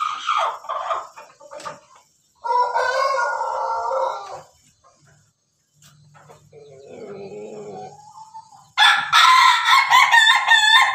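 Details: Pelung Bangkok cockerel, domestic, recorded 17 May 2024 doing its laughing crow: a long, steady, nasal middle-pitched note, a lower wavering phrase, and then a bright, loud, choppy burst at the end, with faint background murmur.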